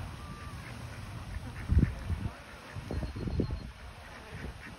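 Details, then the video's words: Ducks quacking together while happily flapping their wings; a few low, rough quacks in short bursts near the middle and end, over steady low background rumble. "Happy ducks having a quack chat together !"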